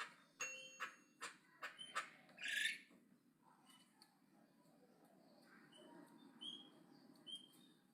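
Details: Javan myna in aggressive loud chatter: a run of sharp clicking ticks builds to one long harsh screech, then softer scattered whistles and chatter trail off.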